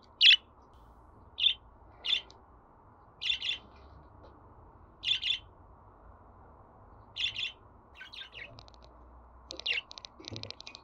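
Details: Budgerigar giving clipped high chirps at roughly one-second intervals, some doubled, ending in a faster buzzy chattering run over faint background hum.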